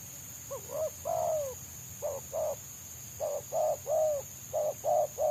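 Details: Wild spotted dove prized by bird trappers, its song mostly in the fast, tightly packed selang nguku style, ignoring a lured decoy: rapid runs of short, low hollow coos in quick bursts, over a steady high-pitched hum.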